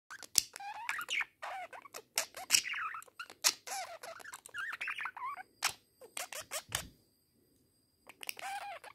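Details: A budgerigar talking to a mirror chatters in rapid warbles, squeaks and clicks, with sharp broadband ticks between phrases.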